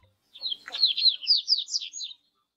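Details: A Double-collared Seedeater in a city sings a quick, high jumble of twittering, slurred notes.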